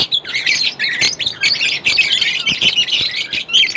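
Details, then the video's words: Constant shrill chatter from lovebirds, overlapping raspy squawks and thin whistled chirps packed tightly together without pause, a lively flock of pet birds calling at once. "lovebirds chirping sound Non-Stop"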